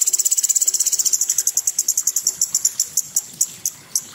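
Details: Gacor cucak cungkok opening with a fast, high, piercing rattle that gradually slows into spaced single notes before fading.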